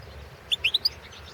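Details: Balkan goldfinch, Carduelis carduelis balcanica, recorded for the 2017 world goldfinch song championship: four quick, bright chirps stepping upward in pitch within half a second over a low background hum.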